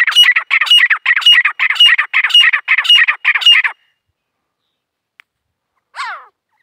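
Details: Grey francolin female calling in jungle, India: a run of about eight harsh squawking notes, roughly two per second, each with a thin whistled overtone, then silence, a faint click and one brief descending squeal near the end.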